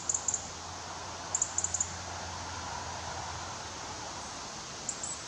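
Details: A young European robin waiting for its parents to bring food gives very high, thin ticking calls in bursts of two or three, gaps of a second or more, over steady outdoor hiss.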